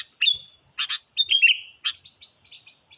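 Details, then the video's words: Sooty-headed bulbul lure song aimed at challenging wild birds: a clear whistle, a double chirp, then a slurred falling phrase fading into softer trailing notes. "PIKAT KUTILANG SUPER GACOR MENANTANG BURUNG LIAR"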